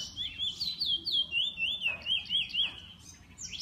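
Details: Captive bullfinch song: a quick chain of looping whistled notes at a steady pitch, about four per second, then a short pause and a rising note at the end.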